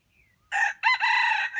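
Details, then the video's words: Red junglefowl, a trapped wild jungle chicken, crowing in a young voice: a short harsh two-part crow, a rough first note then a longer raspy held note, with a faint whistle beforehand. "Trap jungle chickens old bait crowing young voice"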